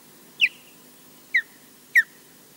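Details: A female osprey at Loch Garten, Scotland, defending the nest alone against a distant intruder, gives three loud, sharp whistled notes, each dropping quickly in pitch, about a second apart, over a faint low hiss.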